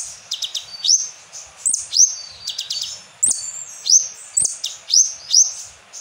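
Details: Asian glossy starling singing a lure song with kapas tembak fill. Bright upward-flicking whistles come nearly every half second, mixed with short stuttering chips.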